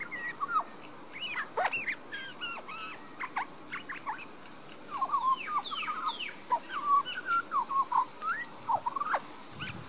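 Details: Young resident Australian magpie singing in a garden in Queensland, Australia, recorded on a Panasonic Lumix DMC LX7 camera: rich warbled phrases of sliding, bending notes, rising and falling quickly, with quieter gaps between bursts.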